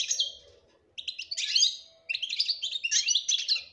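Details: European goldfinch, kept as a pair alongside a canary, singing a fast, dense twittering song of bright, buzzy and tinkling notes in three bursts, with a faint low hum in the background.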